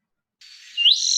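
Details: A Spotted Towhee, a backyard bird of Contra Costa County, sings a soft buzzy opening note that slides upward into a high, dry, rapid trill. No other sounds are heard.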